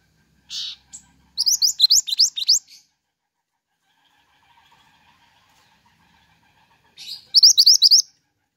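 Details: Pied triller in full song, used as luring and tutor audio for songbirds: one buzzy note, then a quick run of high, rising, upslurred chirps, a pause, and a second similar run of rising notes.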